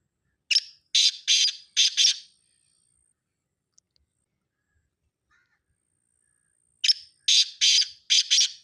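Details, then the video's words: Partridge call from Charsadda: two bursts of four or five harsh, rasping notes in quick rhythm, separated by several seconds of near silence. "تارو. تیتر، کی آواز"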